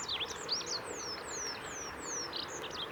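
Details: Olive-backed pipit singing on the Kirigamine Highlands, Japan, 15 July 2018: very high, thin notes, then a run of four clear descending slurred whistles evenly spaced, with sharp chips around them over a steady background hiss.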